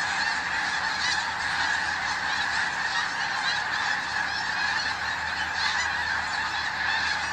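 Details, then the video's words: Snow geese on a hunting day: a loud, unbroken chorus of high, yelping honks from a huge flock, every voice blending into a steady din. "Snow geese"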